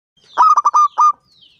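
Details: Local zebra dove (perkutut), a five-year-old bird with a big, persistent voice, singing to lure other doves into song. One phrase of five staccato cooing notes, the fourth and fifth longest, low and rich, over silence.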